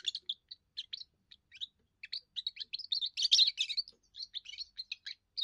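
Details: Young European goldfinch singing its first song to claim territory and draw females: a steady, fast stream of bright, tinkling twitters and short buzzy notes, rising to a dense flourish midway.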